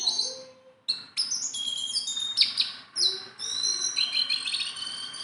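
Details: Sunda bulbul, a tame bird that can be handled, gives a low short whistle, falls silent briefly, then bursts into loud high slurred whistles and chattering notes, ending with a long rising whistle.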